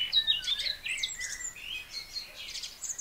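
A Eurasian blackcap sings a quick, varied warble of high chattering and fluty notes that rise and fall without pause, over faint outdoor background noise.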